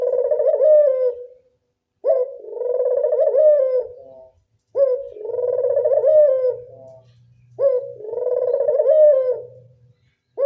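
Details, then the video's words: Repeated classic 'anggungan' cooing of a local Barbary dove: four long, vibrating, mellow coos roughly every two and a half seconds, each slightly falling at its close, over a faint low hum. "Angungan burung puter lokal suara klasik"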